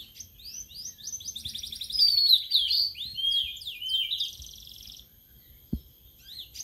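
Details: Sulingan laut, also called tledekan laut, a newly kept caged bird after three days, singing rapid high trills and repeated slurred whistles in fast bursts, then falling quiet, with a single soft knock near the end.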